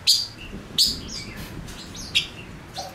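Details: Decoy male Gouldian finch in song: two loud piercing high notes close together at the start, then softer slurred whistles and a final sharp chip, fairly quiet background.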